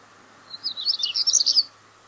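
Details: A common stonechat (Saxicola torquata) at Kotursprey gives one brief, high, scratchy twittering phrase of rapid jumbled notes lasting just over a second, against a quiet background.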